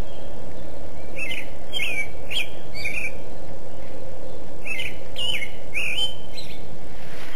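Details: Bird song of short, bright chirps with quick rising and falling sweeps, given in two loose bursts separated by a pause, over constant low background rumble.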